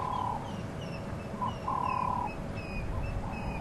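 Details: African grey hornbill giving thin, level whistles, one long note and several shorter ones, on a windy sunrise safari drive in thick bush near a drainage line, over a steady low rumble of wind and vehicle noise.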